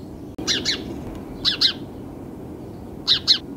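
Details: Sparrow chirping: three pairs of short, sharp double chirps, each pair about a second apart, bright and clipped, over a steady low background rumble.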